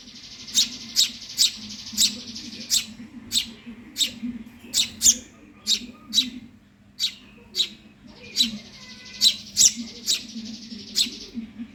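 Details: Intense begging by a hungry Eurasian tree sparrow chick: rapid shrill chirps, about two per second, mixed with a continuous buzzy wheezing hiss, a short lull midway, low hum throughout.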